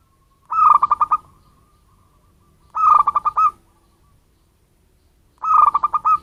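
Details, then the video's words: Wild-origin local zebra dove used as a lure to attract birds: three identical staccato coo phrases about two and a half seconds apart, each a tone followed by fast stuttering pulses. "suara pancinggan perkutut lokal cocok untuk pemikat burung"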